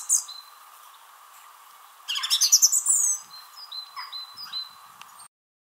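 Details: Song thrush singing in a tree at Wrestlingworth, Bedfordshire, UK, in April 2021, competing with another nearby thrush. A loud burst of rapid, bright repeated notes is followed by quieter high whistled notes over a faint steady hum.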